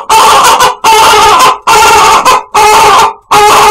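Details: Chicken making an unusually weird call: five loud, harsh, drawn-out squawks, each lasting about half a second to a second, with short silent gaps between them.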